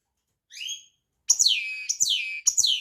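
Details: European goldfinch: a single soft twitter, then loud, rapid, sweeping down-slurred whistled notes that repeat in quick succession.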